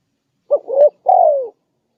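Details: Spotted dove lure call: one clear phrase of a brief hoot, a swelling middle coo and a long downward-sliding final coo, against a silent background.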